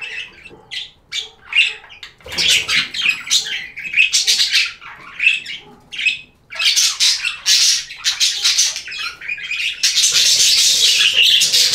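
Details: Budgies chattering in a steady stream of sharp squawks and chirps, rapid and irregular, growing denser and louder after the first two seconds into continuous scratchy warbling.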